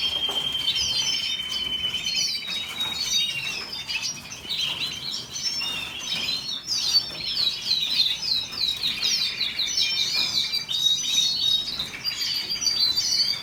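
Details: Canary in long, unbroken song, rapid high trills shifting into chattering, rolling phrases and sweeping whistles, over constant background noise.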